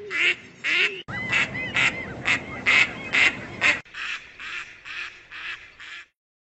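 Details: Female Gadwall nocturnal flight calls in three compiled runs: nasal, quacking calls about twice a second, with faint room murmur beneath the middle run.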